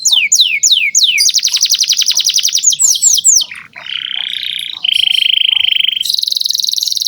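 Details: Canary in full, vigorous song used to train young canaries: rapid downward-sweeping trills, then a fast buzzy roll, a steady lower warbled tour, and a dense high rolling trill.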